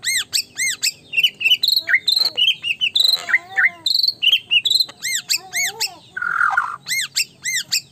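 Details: Persistent white-rumped shama song meant to rile opposing birds: repeated arched high notes alternate with short whistled phrases and a brief harsh buzzy burst, delivered in quick rhythmic bursts.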